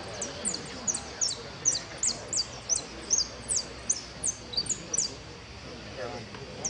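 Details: A goldfinch competing in a singing contest sings a run of thin, very high twittering notes, a little over two each second and unevenly spaced, over a soft background hiss.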